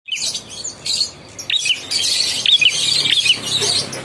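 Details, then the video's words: Young ashy prinia singing energetically: bursts of high, scratchy chirps and quick twittering notes, irregular and rapid, with short gaps between phrases. "Burung prenjak klawu muda gacor"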